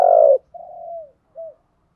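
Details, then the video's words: Decoy spotted dove giving one strong, slightly falling hollow coo, then a longer softer drawn-out note and a brief closing coo. "chim cu mồi thúc gù bài bản nhất hiện nay, chim cu gáy kích bổi hiệu quả nhất hiện nay"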